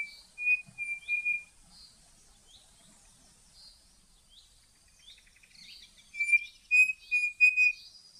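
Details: Brazilian Cerrado birds: a run of three or four pure, level whistles, a quiet stretch of distant high chirps, then another matching series of whistles.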